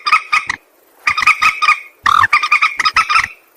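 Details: White-breasted waterhen calling, used to lure birds for trapping: rapid series of harsh, nasal, croaking notes delivered in three quick bursts.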